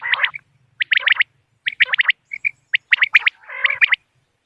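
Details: Bater, or common quail, calling in a recording meant for luring birds during moonlit-night hunts: short bursts of rapid chirping notes alternate with silences, with a few isolated single pips between groups.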